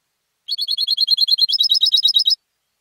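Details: Home-bred competition European goldfinch produces a swift, steady trill of high chirped notes, about twenty in two seconds, the second half shifting to slightly higher, sharper notes; nothing else audible.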